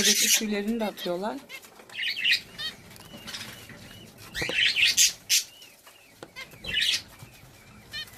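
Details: Budgerigars kept and bred at home as a hobby, giving scattered high, short chirps and warbled twittering bursts, with wing flapping and a woman speaking at the start.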